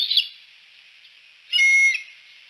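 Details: Bald eagles at Decorah at sunset: a short high squealing note opens, then after a pause a louder, steady, piercing whistled call lasts about half a second, both sharp and high-pitched against a quiet background.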